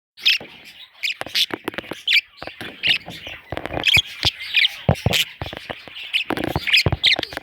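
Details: Baby parrot chicks giving raspy, scratchy squawks in quick bursts, some short and clipped, others drawn out, with brief pauses and faint low thumps between calls.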